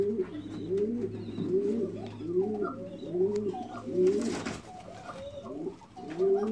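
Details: Domestic pouter pigeons cooing in a small room: deep, throaty rolled phrases that rise and dip, repeated roughly every second in overlapping bursts, with a brief rustling noise midway and a constant low hum.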